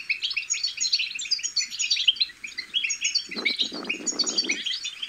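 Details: European goldfinch chicks chattering to stimulate goldfinch song: rapid, overlapping high twitters and chirps run without a break, while a burst of low rustling and thumping fills the final two seconds.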